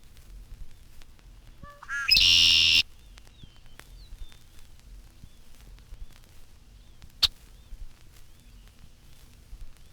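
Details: Red-winged Blackbird perched among sedges in a marshy spot near a field, fluffing feathers and spreading wings and tail to display scarlet shoulder patches while calling conqueree; a brief stuttered lead-in then one loud harsh buzzy trill, otherwise quiet.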